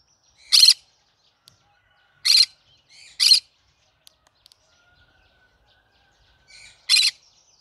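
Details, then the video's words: Harsh, grating squawks from a cinnamon green-cheeked conure, four calls with long pauses, a pair close together in the middle and quiet murmurs before some. "I like Green cheek conure : Chinnamon conure singing to day so funny."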